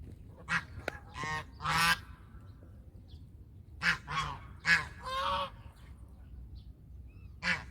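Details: Domestic goose (Anser anser domesticus) on a farm giving harsh, nasal honks, about eight in eight seconds, irregularly spaced and sometimes doubled, over a quiet low rumble.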